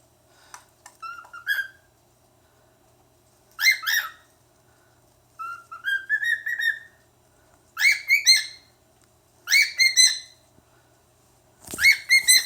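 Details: A male pet cockatiel, playing with paper, gives bursts of bright, harmonic chirps and rising whistled slides, repeated every couple of seconds.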